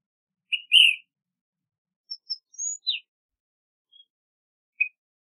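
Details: Ash-throated Flycatcher: two burry whistled notes, then a mixed run of thin high chirps, a rising slur and a falling note, ending with a faint note and a short chirp, in quiet surroundings.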